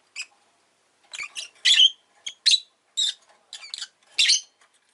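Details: Rapid, uneven series of piercing, raspy chirps from a pet rosy-faced lovebird, several calls clustered in quick succession across five seconds.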